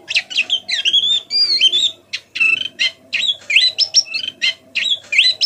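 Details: White-eye actively learning song, used to encourage other white-eyes to sing again; soft chattering strings of high, upward-sliding whistles and buzzy notes in quick bursts, a few longer wavering phrases, faint hum below.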